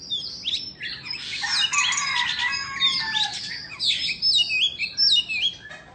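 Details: Singing Indonesian white-rumped shama, dancing with its tail spread; fast, energetic song of crisp downslurred whistles, clicks and short trills in rapid varied series, growing louder midway with emphatic sharp notes.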